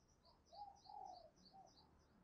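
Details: Spotted dove decoy bird calling new wild birds, giving faint low coos with one longer central phrase, under a steady repeated high chirping from other birds and a soft noisy outdoor background.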